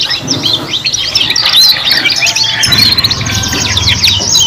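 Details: Young canaries singing together while learning: a thick mesh of high twittering trills and chirps throughout, growing louder midway, with a low droning rumble beneath.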